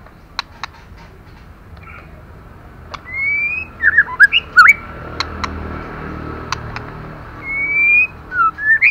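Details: Female white-rumped shama calling to stimulate male birds: clear slurred whistles, some rising and some falling, clustered mid-clip and again near the end, with sharp scattered clicks and a low background hum.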